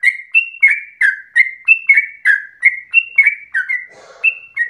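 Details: Yellow-vented bulbul lure song for getting other bulbuls to sing: evenly paced liquid chirps alternating high and lower pitch, with a brief rustling noise near the end.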